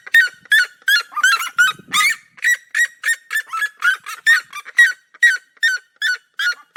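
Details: Duet of red-legged seriemas from the Brazilian cerrado: two birds' loud yelping notes overlap in a fast, uneven barrage, briefly jumbled near the second mark, then settling into a rhythmic series of harsh cries.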